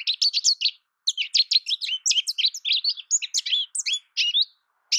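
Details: Quick rambling American goldfinch song of bright, high chirps and slurred twitters in two dense bursts split by a short gap.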